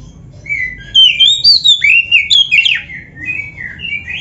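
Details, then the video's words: Oriental magpie-robin, a caged bird on a training recording, singing continuously in the 'gacor' style. A flowing run of clear whistles rises and falls at high pitch, then fades into softer, lower whistled phrases. "MASTERAN KACER GACOR FULL ISIAN JOS"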